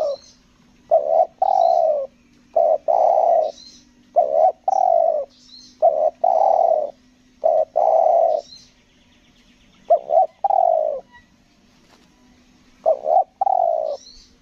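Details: Spotted dove used as a decoy for trapping wild doves in Lombok, calling with a stuttering coo style: low hollow coos in short paired and grouped bursts, separated by pauses of a second or two, with faint high chirps above.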